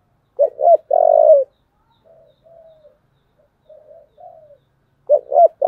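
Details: Spotted dove giving a fighting call in the "giọng thổ" voice style: a pair of short hollow coos followed by one long drawn coo, then soft murmured notes, before the pattern restarts; quiet background.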